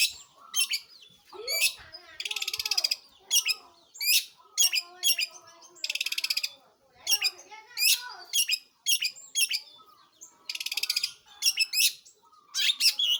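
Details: Long-tailed shrike (pentet, cendet) in full voice: loud buzzy rattling bursts alternate with short sharp whistles and chirps, grouped in rapid phrases separated by brief pauses.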